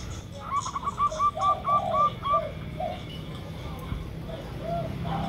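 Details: Local zebra dove (perkutut lokal) used as a lure recording: a quick run of short, clipped coo notes at an even high pitch, with deeper, longer coos in between and a low background hum.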